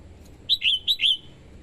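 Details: Female red-whiskered bulbul calling to arouse males and attract wild birds: one lively phrase of four clear whistled notes alternating high and slightly lower, the last drawn out and fading.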